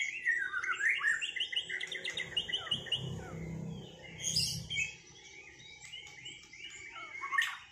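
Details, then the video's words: White-rumped shama after moulting, dueling in song: rapid rising and falling whistled phrases and trills, with a brief louder burst of high notes midway and a faint low rumble beneath. "Duel murai batu lepas mabung"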